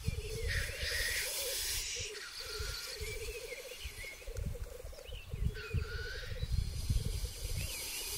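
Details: Males of black grouse on a lek arena, 2023, where fights precede matings: continuous rolling, bubbling coos in long phrases, broken by several harsh hissing sneezes.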